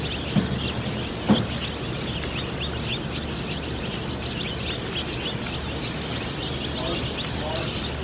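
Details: Day-old Delaware chicks at a hatchery, a crowd of them giving many short, high peeps in a steady overlapping chatter, with a constant low hum underneath and two brief knocks early on.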